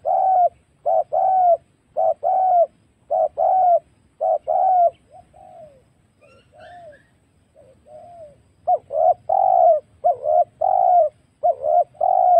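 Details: Lure recording of a wild spotted dove for bird trapping: a long run of paired mellow coos, fading to soft, quieter notes midway, then resuming with full, rhythmic doubled coos.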